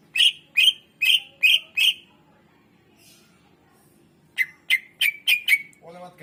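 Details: Greater green leafbird song played to stir reluctant birds into singing: a run of five evenly spaced sharp chipping notes, a pause, then six quicker clipped notes ending in a softer low warble.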